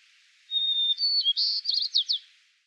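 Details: Single full song from a male White-crowned Sparrow in Yellowstone National Park, one of two song types: a long pure whistle, a short buzz, then a series of rapid, sharply slurred trilled notes, high-pitched and clear.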